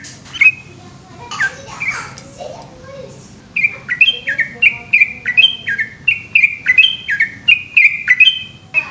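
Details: At night a yellow-vented bulbul gives its long 'ropel' song. Scattered chirps and a soft voice-like sound come first, then a fast unbroken chain of short, liquid, up-and-down whistled phrases.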